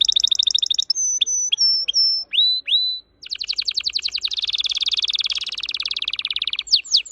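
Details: Red factor canary, a pet orange-red bird, singing a fast varied song: rapid buzzy trill, then sharp downward whistled notes, then a long dense rolling trill and a few final slurred notes.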